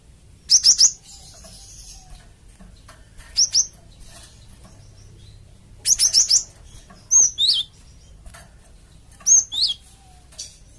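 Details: Java sparrow calling as a lure to prompt flock birds to reply, giving short bursts of two to four high, sharp chirps and a few swooping notes, each burst separated by pauses of two to three seconds.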